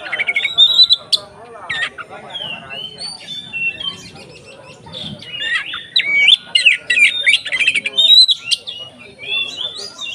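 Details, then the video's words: Oriental magpie-robin (kacer) in 'konslet' style, singing continuously ('ngeplong') as a lure to make other kacer more emotional; rich, varied whistles, sharp chirps and rapid warbled phrases in dense bursts, with brief quieter gaps and faint low background hum. "SUARA BURUNG Kacer konslet NGEPLONG untuk PANCINGAN KACER supaya lebih EMOSI"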